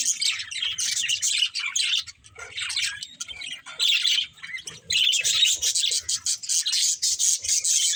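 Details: Several pet budgerigars twittering in play, bursts of buzzy warbled chirps that dip quieter around the two-to-five-second stretch, then swell into steady dense chatter.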